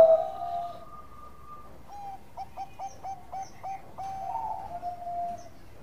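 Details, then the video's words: Zebra dove of the Bangkok type singing actively, offered as a calm yet melodious lure recording. A long steady coo opens, then a quick stuttering series of short clipped notes, ending in drawn-out lower coos over a quiet background. "Perkutut Bangkok Gacor Suara Santai tapi Merdu Pancingan"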